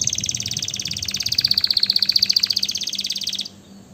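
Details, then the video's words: Canary pours out a loud, rapid, regular trill of high pulses for over three seconds, then stops abruptly, leaving only a quiet hum. "اجمل غناء لطائر الكناري تغريد الكناري روعة"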